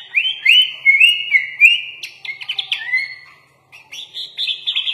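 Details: Sooty-headed bulbul (kutilang) training song with full isian, said to include shama (murai batu) mimicry: rising slurred whistles, then a burst of rapid chips, a brief pause, and renewed higher warbling.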